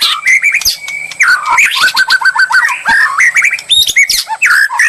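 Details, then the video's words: Provocation song of a white-rumped shama, meant to make a murai answer boldly; rapid whistled notes including a level held whistle and a quick string of repeated downslurred notes, then mixed chatter. "murai lansung moncer nglabrak penuh nyali"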